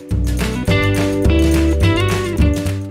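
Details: Loud strummed guitar music with a steady beat fills the whole stretch, with no animal voice audible.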